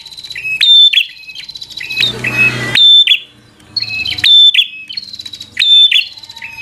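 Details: Bar-winged prinia fighter song intended to anger an opponent: strident high whistled phrases with clicky starts, repeated in pairs, interrupted once by a brief burst of broadband noise.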